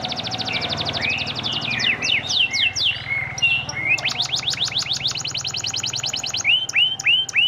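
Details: Prolific panda canary song for drawing replies from silent canaries: quick repeated notes, swooping whistles, a long evenly pulsed trill and hooked upswept calls, with faint low hum beneath.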